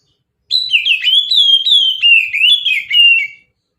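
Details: Single three-second phrase of oriental magpie-robin song in mountain style, used to lure birds: a fast chain of clear whistled notes, slurred up and down, with short chirpy accents, on a silent background.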